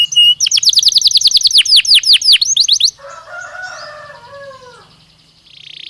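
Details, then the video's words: Belgian canary, singing naturally, delivers a rapid run of around twenty downward-slurred notes, then softer, lower warbled tones, ending with a faint high buzz. "Canario Belga Cantando Naturalmente"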